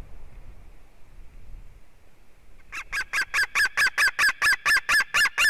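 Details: White-tailed eagle at a nest in Durbe, Latvia, on 13 August, the eaglet's fourth day in the nest, breaks a quiet stretch with a fast, even series of loud, harsh yelps, about four a second, over faint hiss.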